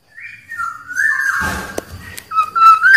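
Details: A wild Black-naped oriole gives drawn-out fluty whistles that slide down and then curl upward, broken by a brief burst of rustling noise midway; used as a call to draw in rival orioles.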